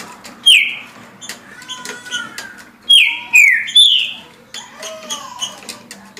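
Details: Caged green-winged saltator singing at 17 songs a minute: strong downslurred whistles in short groups separated by pauses, with quieter lower whistles and clicks in between.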